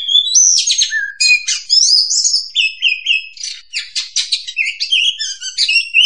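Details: Magpie-robin lure song for trapping, a long varied stream of clear whistles, fast trills and scratchy chatter, with steady mid-pitched whistled notes woven between quicker high phrases.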